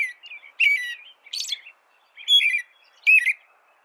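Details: Song of an American robin: separate caroled phrases, clear slurred whistles followed by high scratchy squeaks, coming in bursts about once a second in a quiet background.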